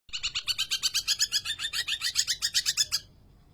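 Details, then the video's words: Greater green leafbird singing energetically: a fast, rhythmic series of rich, ringing notes repeated about four times per second for nearly three seconds, then stopping abruptly. "cucak ijo gacor"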